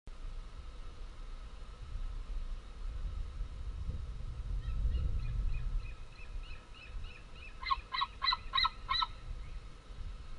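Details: Two large fledged young white-tailed eagles, long gone from the nest, scream for food at it on 11 August 2014 as females land with modest prey. Deep rumbling background, then a burst of harsh, harmonic yelping calls near the end.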